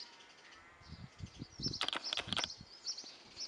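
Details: Nine Great tit chicks in a Northumberland nest box at Belford squeak in high chirps, joined midway by a flurry of louder scratchy clicks and low thumps from inside the box.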